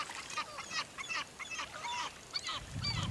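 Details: Gulls on Rügen in November: a flock of overlapping, thin, yelping and mewing calls, many birds calling at once in a rapid chattering jumble, with a low rumble at the end.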